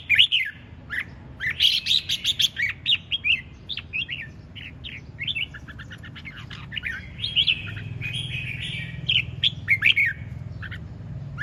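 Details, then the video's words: Red-whiskered bulbul singing hard in 'ché chẻ' style: rapid series of clear chirpy whistled notes, some rising and some dropping, crowded at the start and looser later, with low steady hum beneath. "Chiến Binh Hót Cực Sung ( Ché Chẻ Cực Đỉnh)"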